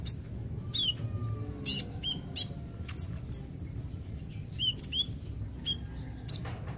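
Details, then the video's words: Kolibri ninja, the olive-backed sunbird, in a recording for birds that rarely sing: scattered, very high, thin chirps and brief slurred notes at irregular intervals against low constant noise. "Terapi kolibri ninja (konin ) yg males bunyi"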